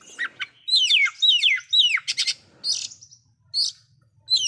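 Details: Loud oriental magpie-robin song said to provoke rival magpie-robins: quick run of high, downslurred whistles and buzzy chattering notes, delivered in rapid succession with brief gaps.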